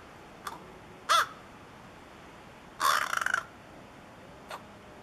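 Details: Young crows, newly fledged to almost juvenile, calling while learning crow language: two loud, harsh caws with a longer rasping burst after them, fainter short clicks at either end, and steady background hiss.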